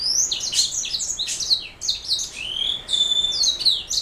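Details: Mule of canary parentage with a black throat giving a lively stream of high chirps, sharp down-slurred notes and a long steady whistled tone, all densely packed.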